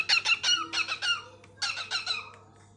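A cockatiel sings bursts of rapid, harsh chirping notes in short repeated phrases.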